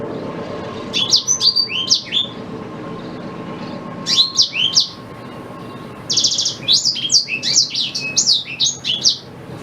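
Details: Song of a black-throated canary, meant for training a white-rumped shama: short groups of high slurred chirps, then a longer run of quick sweeps and a buzzy rattle near the end, faint background hum.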